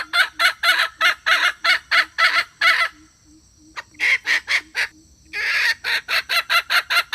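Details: Wild red junglefowl hen giving her male-attracting call: runs of loud, rasping clucks about two or three a second, broken by a pause near three seconds and another near five, then a fast series resuming.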